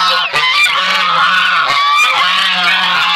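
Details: Brown Chinese goose with its goslings, a noisy group; continuous overlapping nasal honks with rich harmonics, layered with higher thin calls, steady and loud throughout with no pauses.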